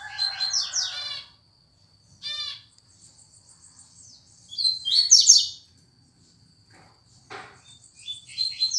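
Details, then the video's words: Double-collared seedeater (coleiro) singing the fast tuituí song style: bursts of high, rapid buzzy-chirping notes in short phrases separated by pauses, with a steady faint high tone throughout and a low hum beneath. "Tuituí rapido"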